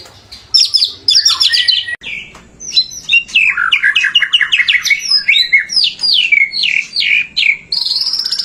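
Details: Energetic white-rumped shama song for stimulating other shamas: loud, varied phrases of high chattering notes sliding into a quick series of downward-swept whistles, closing with a sustained high note.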